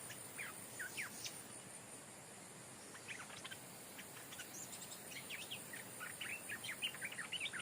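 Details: Decoy stripe-throated bulbul that has never lived wild, brought back to its old home, where a new territory holder is now present; scattered short chirps and quick chattering notes run throughout, with soft background hiss.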